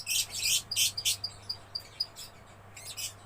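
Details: A young lovebird chatters in gacor style, with harsh buzzy bursts alternating with thin, clear whistled peeps repeated about twice a second, over a steady low hum.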